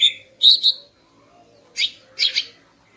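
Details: A female greater green leafbird sings in the morning to rouse a male: a bright whistled note, a rich double chirp, then after a pause two harsh buzzy bursts.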